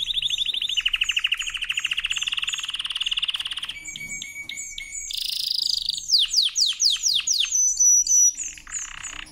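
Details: Canary in powerful song for training, starting with a long, fast rolling trill, then clipped repeated notes, a buzzy burst and a series of loud descending slurred whistles.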